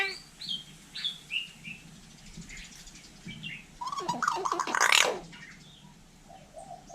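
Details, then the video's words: Hill myna in Vietnam mimicking human speech, opening with clear whistled notes, then a rapid, buzzy, grating outburst that peaks in a harsh screech. A few soft chirps follow. A person speaks in the background. "Chim nhồng nói tiếng người cực đỉnh"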